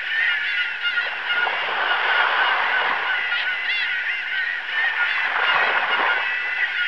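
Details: Gulls heard with the sound of waves: a dense chorus of short, bending cries, several birds at once, carried over continuous rushing surf.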